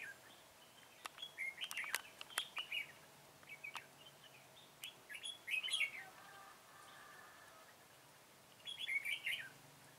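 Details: Red-whiskered bulbul used in trapping with a decoy bird, recorded 21 September 2017: short bright warbled phrases in several bursts, with faint background noise and a few sharp clicks.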